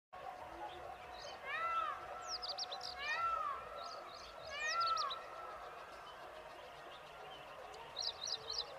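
Asian green bee-eater giving short bursts of high, trilled chirps, with louder arched, downslurred whistles from another bird every second or so.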